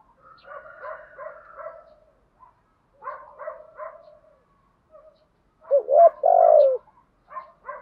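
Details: Spotted dove kept as a decoy, calling to lure wild birds: rhythmic soft paired notes repeated in bursts, then a single loud, low, throaty three-part coo.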